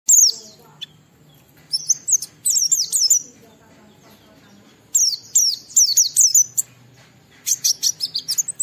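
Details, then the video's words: Oriental white-eye singing in the lively ngalas style, played as a lure to set other white-eyes singing: clear, high, thin twittering bursts of quick down-slurred notes, three separate phrases with short silent gaps between them. "Burung Pleci Gacor suara Jernih memancing Semua Pleci langsung ngalas"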